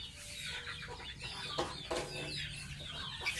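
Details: Bathing pet gosling: a dense run of high, wavering peeps overlapped by splashing water, with a couple of sharp splashes near the middle.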